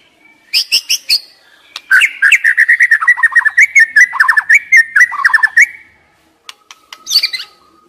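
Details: Song of a white-rumped shama, used to stimulate stressed, silent young wild shamas. A few high chips lead into a long, rapid stream of choppy warbled notes, then a brief pause and a high twittering flourish.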